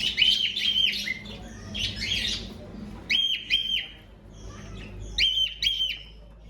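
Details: Young cockatiel chicks, filmed in a breeding progression on 5 June 2025, make harsh, noisy chirps followed by clear whistled paired calls with bright overtones, several pairs over six seconds.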